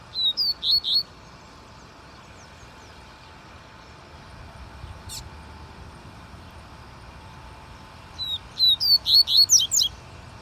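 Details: Double-collared seedeater delivering two bursts of song, a short run of bright whistled slurred notes at the start and a longer rapid phrase near the end, separated by a quiet gap with a low background hum.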